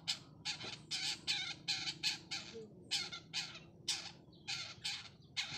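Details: Challenging call of a 'cendet trotol' long-tailed shrike looking for an opponent: evenly spaced rough, crackling bursts, about two per second, each harsh and broad like scraping chatter.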